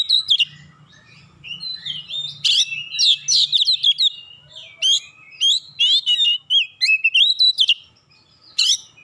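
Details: Oriental magpie-robin in energetic song aimed at stirring other magpie-robins into singing, with loud sweet whistles, sliding notes and percussive chips delivered in quick bursts over a faint low hum.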